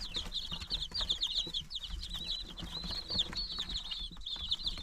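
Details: Young chickens at nine days old filling the air with dense high-pitched peeping, short chirps run together in a steady stream, over faint low hum and light rustling.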